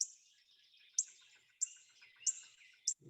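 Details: A Northern Cardinal gives its "tink" call note: five sharp, high, metallic chips about every half second to second, over faint, soft bird chatter in the background.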